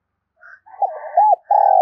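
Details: Brief spotted dove cooing, part of a continuous calling bout: a few soft low notes, then throaty arched coos and a loud sustained final note. Fainter higher tones sit above.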